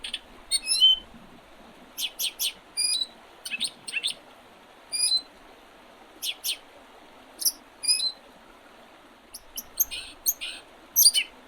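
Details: Spring birdsong, 8 April 2023, Oredezh River, Leningrad Oblast, Russia: scattered short high chirps and sharp twitters, often in pairs or triplets, spaced through the recording with brief quiet gaps.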